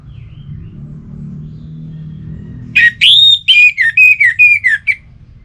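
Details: Relaxed song of an orange-headed thrush. After a quiet stretch it starts with a rising slur, then gives a run of about eight short, clear whistled notes, each a little lower than the last. Faint low background rumble.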